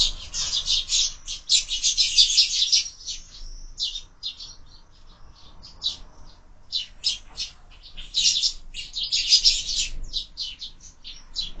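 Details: Sparrows squabbling and fighting at a window-mounted feeder, in year-round bird feeding: bursts of dense, rapid high chirping and twittering, loud at the start and again around eight to ten seconds, with sparser chirps between.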